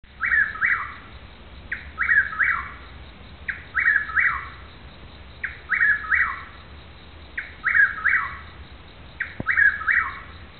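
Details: Chuck-will's-widow calling in Newton County, Arkansas, bird unseen: a loud whistled three-part phrase, the last part slurring downward, repeated about every 1.8 seconds, six times, over a low steady rural hum.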